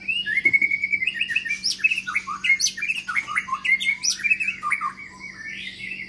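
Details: New long-tailed Medan white-rumped shama singing in an exercise cage: bright, fast run of varied whistles and chips, with interspersed high ticking clicks, over a faint steady hum.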